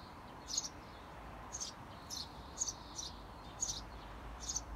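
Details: Eurasian tree sparrow parents calling beside a nest box to coax seventeen-day-old young out; bright chirps about once a second, some doubled, over low background noise.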